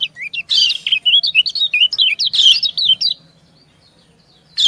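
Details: Female white-eye calling to her mate in an exchange of calls: a fast, jumbled run of high twittering notes over about three seconds, cut by one harsher chirp, then a pause.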